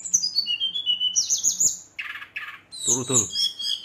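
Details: Brown-chested jungle flycatcher singing in an agitated state to provoke rival birds; high descending whistles and fast trilled notes, broken by harsh squawky bursts and a lower rasping sound, with faint speech behind.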